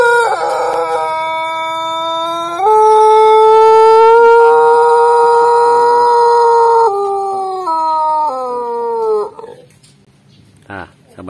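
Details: Pelung rooster crowing on its perch after a hen is placed below it to stimulate crowing: one very long, loud, tonal crow of about nine seconds, a rising start, a sustained drawn-out middle, then stepping down in pitch at the end.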